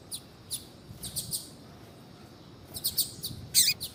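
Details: Female double-collared seedeater (coleiro tui tui) calling to stimulate a male to sing. Sparse, very high, brief chirps come in a loose scatter, with a denser cluster near the end over faint background hiss.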